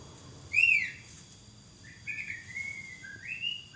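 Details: Oriental magpie-robin singing: a loud arched whistle, a pause, then softer sliding whistled phrases with a slight rise at the end.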